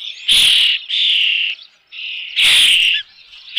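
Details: An Osprey with a fish at its nest, Dunrovin Ranch, 3 June 2018, around 5 pm, gives two long, piercing, strained whistled screams with a softer whistle between them.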